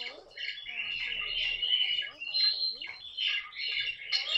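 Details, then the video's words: Indoor pet caique producing a continuous harsh, buzzy chatter of squawks, with a few lower sliding notes that may be human speech at the start. "попугай каик!"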